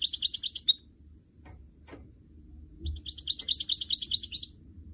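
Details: Canary and goldfinch hybrid in a cage singing fast, bright twittering phrases, a short one, then after a pause with faint knocks, a longer run of quick chirped notes.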